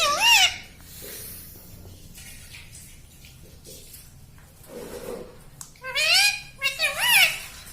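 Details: Pet parrot indoors mimicking words such as "mummy": a short harmonic, wavering utterance opens, then a near-silent stretch with faint room sounds, before two loud, bending, voice-like phrases close.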